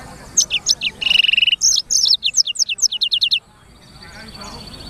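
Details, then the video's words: Black-throated canary singing a busy, high-pitched phrase: scattered sharp notes, a steady whistled tone, then a fast series of descending chirps ending abruptly after about three seconds. "BURUNG FINCH EDEL SANGER / BLACKTHROAT Suara Gacor"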